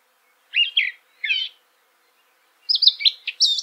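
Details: Eurasian blackcap song: two short scratchy warbled notes, a pause, then a quicker burst of bright, high chirping phrases. Quiet background.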